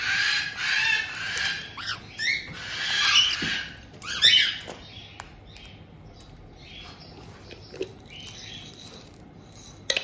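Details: White-bellied caiques indoors in Tokachi, Hokkaido, in June 2023, as a resident pair receives a young bird just over two months old. Long, hissing, rasping squawks fill the first four seconds, then fade into faint scattered chirps.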